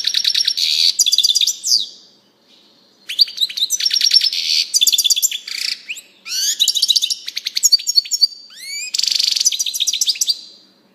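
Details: European goldfinch singing a rapid, high twittering song of tinkling notes and buzzy trills in bursts of one to two seconds, separated by short pauses and a thin drawn-out note; no other sounds.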